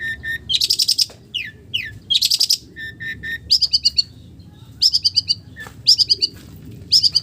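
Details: Long-tailed shrike singing a song filled with imitations of village birds: bursts of buzzy, rapidly pulsed high notes alternate with short sliding whistles, each phrase lasting under a second, with a faint low background hum.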